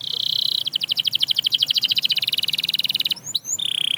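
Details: Canary; song; stimulating other canaries to sing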